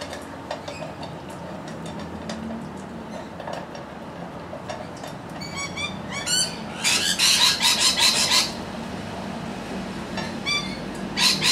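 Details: Several Australian rainbow lorikeets in Australia, filmed on a camcorder: scattered chattering notes build to a loud burst of harsh, rasping screeches, then quieter chatter with more screeches near the end.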